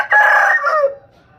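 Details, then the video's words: A rooster crows: a loud, strained, harmonic cry held for most of a second and then dropping away at the end, with no other sounds standing out. "Rooster Crowing"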